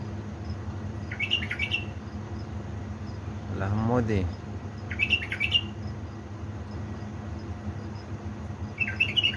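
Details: Pet bulbul from Baladruz, Diyala, at 3 am on 19 August 2020, repeating short bright warbled phrases three times across the clip, with a person speaking briefly in between and low hum.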